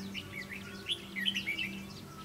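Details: Red-whiskered Bulbul during a trapping session with a decoy bird, calling while fighting: a quick run of bright, slurred chirps and whistles over steady low hum and background noise.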